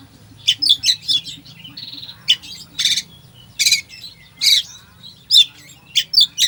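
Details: Oriental magpie-robin song played to provoke a sluggish bird into singing: a full, varied song of rapid high chirps, trills and short buzzy bursts in quick succession, with a faint low hum underneath.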